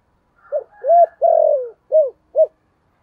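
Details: Spotted dove giving 'thổ'-style coos meant to call wild doves in quickly. One clear phrase: a soft lead-in, an arched coo, a long falling drawn note, then two short rounded coos.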